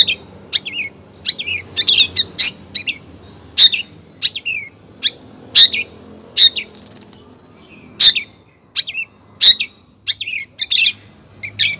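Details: Female long-tailed shrike calling to the male with a steady stream of sharp, clipped high notes and small chattering clusters, spaced roughly every half second to second.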